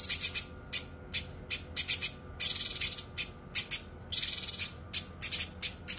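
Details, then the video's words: Cucak kinoi song used as a training recording for other songbirds, dense and sharp: bursts of high, rapid chirps and trills in clusters about half a second apart, with brief pauses between phrases. "suara masteran cucak kinoi full suara rapat tajam"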